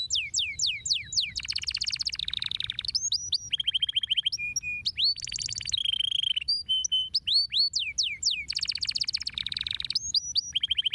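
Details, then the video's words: Canary song used to stimulate other birds to sing: continuous loud, high-pitched rolling trills, downward-sweeping whistles and buzzy rattles, with steady flat whistled notes and fast repeated chirps, no other sounds. "estimular o som dos pássaros cantando"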